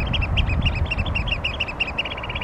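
Eurasian Oystercatcher giving a fast run of loud, shrill piping notes, about eight a second, over a steady low roar of wind or surf.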